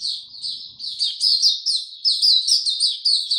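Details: A white-eye sings in warm, very humid weather on 26 March 2022, a continuous high, fast twitter of slurred, bright chirps that grows louder and busier toward the end.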